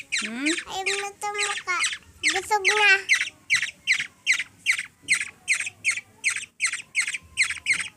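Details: Child's voice speaks at first, then a hungry Black-naped Oriole (kilyawan) being fed by a three-year-old girl in the Philippines keeps up regular harsh squawks, about two and a half per second.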